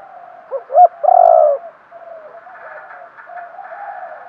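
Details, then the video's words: Decoy spotted dove calling to lure wild doves: two quick low notes followed by one drawn-out, slightly falling coo, then softer, fainter cooing phrases trailing behind. "chim cu mồi thúc gù, chim cu gáy kích bổi mới nhất, cu cườm thúc gù giọng hay"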